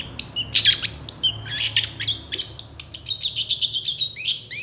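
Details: Long-tailed shrike, an agitated, highly vocal bird said to respond quickly to other shrikes, in a tutor recording full of varied phrases: rapid harsh chattering bursts and buzzy notes, then a run of short sharp whistles and a scratchy ending.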